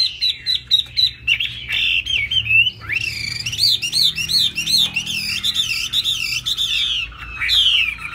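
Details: High-pitched song of a laughingthrush performing its bowing, tail-flapping display, its tail broad like a fig leaf; rich wavy whistled phrases flow almost continuously, with loud bright warbles.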